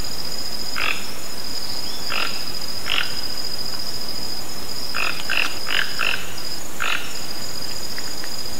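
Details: Toco toucan in nature calling with harsh, frog-like croaks, scattered at first, then a quick run of four in the middle, over a steady high-pitched insect hum.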